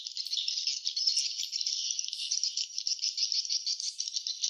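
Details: Crowded swiftlet nest site with rapid, overlapping high chirps forming a steady rattling twitter, with occasional sharper notes standing out.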